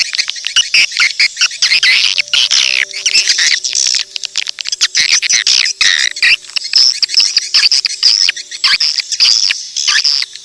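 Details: Edible-nest swiftlet lure sound: a loud, continuous chatter of high, thin chirps and clicks, with irregular bursts throughout.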